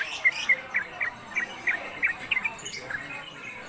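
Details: Konslet-style song from a caged Sooty-headed Bulbul (trucuk), a long-lasting singer suited to tutor other birds: a series of sharp chirps about three per second, loudest at first and fading toward the end.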